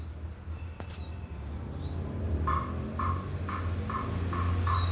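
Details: Male Rengganis singing vigorously: a run of thin, very high chirps with quick downward tails, repeated a few times per second, over a steady lower hum and a separate mid-pitched note repeated about twice per second.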